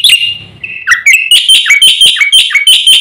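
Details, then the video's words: Javan pied starling in full song that provokes other birds: a drawn-out, slightly falling whistle-like note, then quick, harsh, chirping notes repeated in a steady run. "jalak putih gacor full isian ini sekali bunyi bikin emosi burung sekampung"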